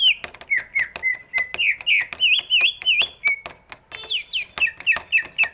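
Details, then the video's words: Big-bodied greater green leafbird, its song used as a lure to prompt lazy birds to sing: rapid, rolling whistled notes that swing up and down, then higher squeaky slurs near the end, with crisp clicks between them. "cucak ijo body big, suaranya bisa buat pancingan burung yang malas bunyi"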